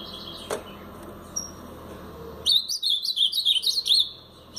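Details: Brown-plumaged Blue-black grosbeak performing Paraná-style song: a sharp click, a short thin note, then a two-second phrase of quick, bouncing whistled notes rising and falling in pitch.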